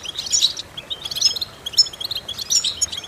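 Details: European goldfinch song played for vocal training of goldfinches: high, tinkling chirps and twittering notes in four quick bursts, clean with no other sounds.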